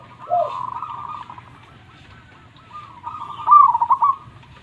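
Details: Local zebra dove in energetic, loud-voiced song, used as a lure and to coax reluctant perkutut into singing: a short low note, then a rolling mid-pitched coo, a pause, and a louder warbling trilled phrase, with soft low hum behind.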